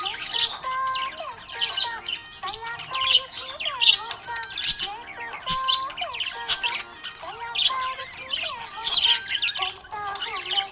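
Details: Happy budgie chattering on and off in a rapid, scratchy warble of quick high chirps and bending squeaks, repeated in short bursts, over a soft steady tone.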